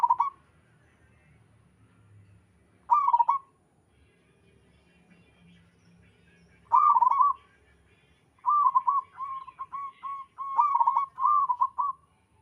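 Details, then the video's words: Local zebra dove in lively song with others answering: separate rolling coos every few seconds, then a longer stretch of rapid, stuttering coo notes strung together. "Suara burung perkutut lokal alam gacor sekali putar lainnya ikut nyahut"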